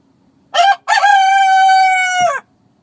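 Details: Single rooster crow at dawn in the countryside, opening with a short rough note, then after a break a loud drawn-out harmonic call held steady before falling away at the end, quiet background otherwise.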